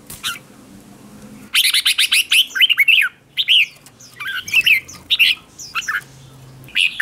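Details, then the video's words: Decoy red-whiskered bulbul singing to call in other bulbuls, competition singing. Loud, busy phrases of bright slurred whistles and chirps in quick succession, with short pauses between bursts and little background noise. "Tiếng chào mào mồi gọi là đến, Chào mào mồi gọi bổi không tạp âm"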